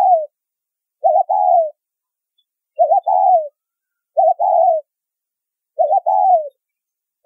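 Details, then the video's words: Spotted dove calling in the 'thúc rút bổi' style, meant to draw in wild doves for trapping. Each phrase has two parts, a wobbling short coo and a sustained falling tone, repeated five times at uneven intervals with nothing else audible. "Siêu Phẩm Tiếng Chim Cu Gáy Thúc Rút Bổi , Tông Còi Âm Quá Hay"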